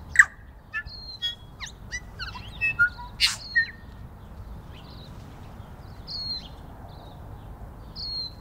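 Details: New Zealand bellbirds feeding during first-day-of-spring snow: a series of whistled notes and sharp chirps in the opening seconds, then only faint, distant high whistles.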